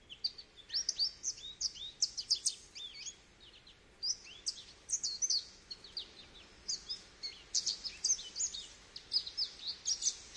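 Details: Goldfinch song: a lively, continuous twittering of quick high chirps, slurred notes and tinkling trills in overlapping bursts, with faint background noise.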